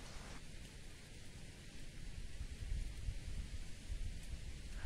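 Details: Heavy rain with low thunder-like rumbling and patter throughout, with no animal calls.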